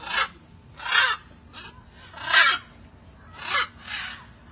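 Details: Macaw parrots at feeding time giving harsh, raspy squawks, five loud broadband bursts spaced about a second apart, with faint low background hum between calls.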